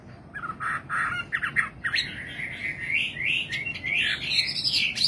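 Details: Nightingale song beginning with a few harsh, clipped notes, then sliding into a rising, swooping high warble that carries to the end.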